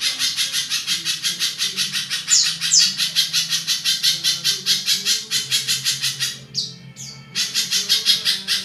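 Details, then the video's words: Harsh-voiced spiderhunter used as a tutor bird for other songbirds delivers a long run of rapid, grating chattering notes, about three a second. A brief pause brings two quick descending whistles before the rough chatter resumes over a low background hum. "Burung pijantung gacor panjang kasaran"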